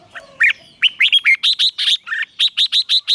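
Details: Red-whiskered bulbul trained for morning song in the 'chè' style: a rapid series of about fifteen clipped, emphatic whistled notes, mostly evenly spaced, with a few lower slurred notes mixed in.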